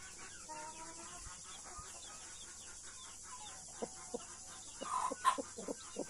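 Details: Blue mother hen with her baby chicks, australorp and Brahma chicks; soft low clucks from the hen repeated irregularly, with faint chick peeps over a steady background hiss.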